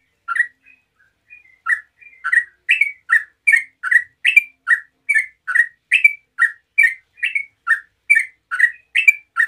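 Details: Rapid 'ngeropel' song of a yellow-vented bulbul, meant to prompt other bulbuls to reply. After a few hesitant opening notes, a steady run of liquid chirps swings between a rising upper note and a lower one.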